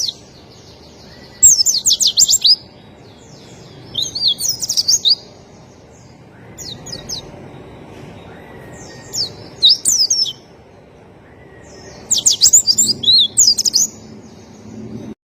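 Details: Zosterops white-eye (pleci) giving a high-pitched, fast chattering song in five separate bursts, each about one second long, repeated every two to three seconds over a quiet low background hum.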